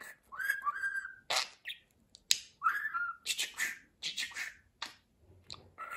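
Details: A pet budgerigar babbles mimicked speech: whistled sliding notes, gritty bursts and a sharp click, phrases packed closely with brief gaps over six seconds.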